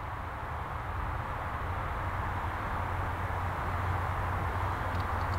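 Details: Steady low rumble of wind or distant traffic fills the whole recording, with no animal voice standing out.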